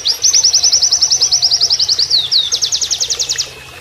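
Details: Oriental white-eye training song in canary style, with rapid high trills of sharp repeated notes, a short slurred break near the middle, then a second quicker trill, over a soft background of flowing water.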